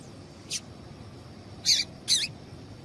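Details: Female Double-collared seedeater calling to stimulate a male: one faint high chirp followed by two louder, slightly longer, wavering chirps close together, over quiet hiss.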